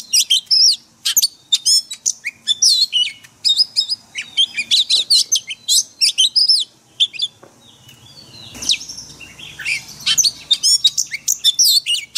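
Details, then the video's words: Oriental magpie-robin singing a wild-type forest song played daily to train caged birds: rapid bursts of high whistles, sharp chirps and rising and falling sweeps, with a short quiet gap before the singing resumes. "Luyện chòe than hót giọng rừng mỗi ngày"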